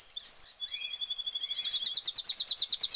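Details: Canary in a cage delivering a high thin whistle, then a rapid evenly pulsed trill of bright repeated notes.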